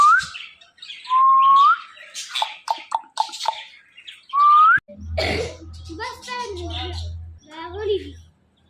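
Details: Indian ringneck parakeet kept as a talking pet, giving rising whistled notes near the start, then speech-like mimicked phrases with a steady low hum beneath from the fifth second.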